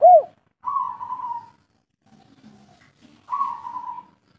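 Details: Spotted dove, a local bird, giving its three-part cooing call: a short rounded note then two drawn-out, slightly falling coos about three seconds apart, with faint low murmurs between.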